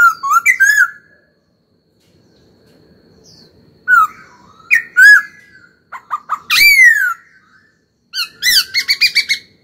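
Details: Caged laughingthrush in full song while being trained: varied loud whistled phrases, slurred notes, a burst of harsh descending rattles, then a fast series of repeated chirps near the end, separated by short silences.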